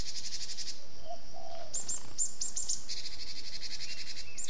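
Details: A cinereous tit gives thin, very high, rapid chattering notes in quick repeated bursts over a low background rumble; the call is used as a lure for trapping.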